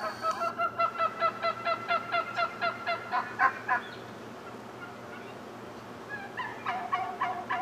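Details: A male wild turkey dancing in display amid a morning gang of turkeys; loud, evenly spaced honking notes, about three a second for nearly four seconds, then a pause before another burst of calls resumes.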